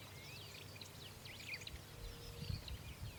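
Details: Grassland yellow-finch calls: a busy run of high, thin chirps and twittering slurred notes, quick and overlapping, over a steady low rumble of wind or distant noise.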